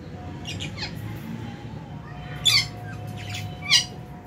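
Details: Colony of lovebirds in an aviary during a January meal; two loud, harsh squawks stand out among softer scattered chirps, with a constant low hum underneath.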